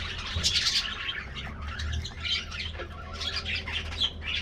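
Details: Colony of colourful budgerigars in an aviary getting a morning diet treat: dense, overlapping chirps and warbled chatter, many birds calling at once, with a steady low hum underneath.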